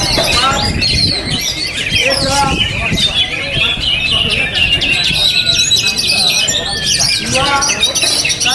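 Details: A kept oriental magpie-robin sings in strong wind: busy, varied whistled phrases with rising and falling slurs and quick chirps, high and continuous, over steady low wind rumble.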